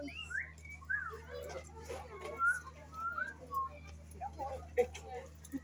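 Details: African grey parrot at a zoo, giving a series of short whistled notes, some sliding up and some falling, scattered over about five seconds, with people talking nearby and a steady low hum underneath.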